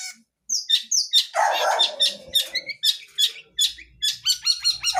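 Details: Long-tailed shrike, a wild blangkon-type bird in full isian song: scattered high chips and sharp notes, a brief lower grating burst, then ringing notes repeated in quick succession near the end.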